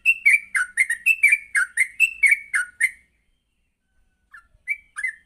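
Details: Morning song of a yellow-vented bulbul meant for training other birds: about three seconds of quick chirpy, warbled whistles in a bouncing rhythm, then silence and a couple of softer notes near the end.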